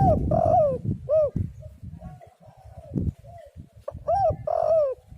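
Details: Spotted dove (tekukur) calls meant to lure doves into singing: repeated looping coos and longer falling coos, some overlapping, with low background rumble.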